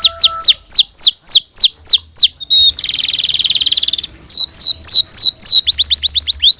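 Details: Domestic canary singing a long, lively tutor song used to train young canaries: series of quick descending whistled notes, a dense buzzy rattling tour in the middle, then more rapid repeated whistles and a fast trill.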